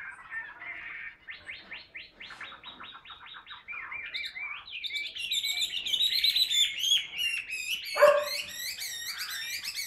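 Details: Ngũ trường song from a caged Chinese hwamei sung while perched on the hand: a series of fast repeated notes becomes a rich, rising, whistled warble with high ringing trills, and one loud knock near the end.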